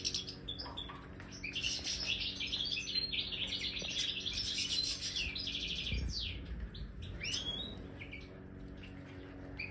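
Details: Major European goldfinch in an aviary, trying a marigold snack, pours out a dense, fast jangle of high twittering notes, then a few sparser chirps and rising whistles, with faint low hum.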